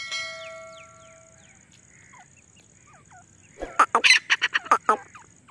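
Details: Female grey francolin calling non-stop in jungle, a call used as a hunting lure: after a ringing bell-like tone and thin whistled chirps, a quick burst of about seven loud, harsh, shrill notes in under two seconds.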